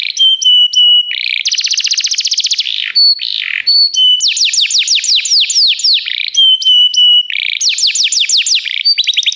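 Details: Varied canary song for training canaries: clear flat whistles with quick clicks come in turn with dense buzzing trills and runs of sweeping down-slurred notes. It sings without a break.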